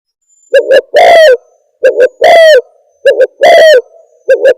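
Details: Spotted dove lure call used for trapping: repeated phrases of two short clipped coos followed by a longer, louder, slightly falling coo, roughly one phrase every one and a half seconds, harsh and overdriven, with no other sounds.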